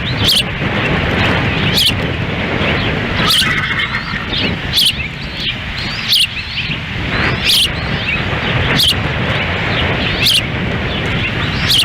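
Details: At an osprey nest in Lolo, Montana, June 10, 2017, the female feeds chicks in strong wind as the male stands by; piercing high chirps repeat roughly every one to two seconds over constant wind rumble.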